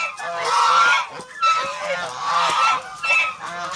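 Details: Domestic geese, a protective flock of farm geese in the Philippines kept as guard animals, give loud harsh honks in overlapping bursts roughly every second, with nasal harmonics and short pauses between calls.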